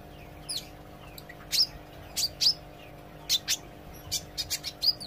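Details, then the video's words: Olive-backed sunbird practising song and chatter: well-spaced, sharp high chirps, single or in pairs about a second apart, then a quicker cluster at the end, above a low mechanical hum. "suara kolibri ijo belajar gacor & ngobra"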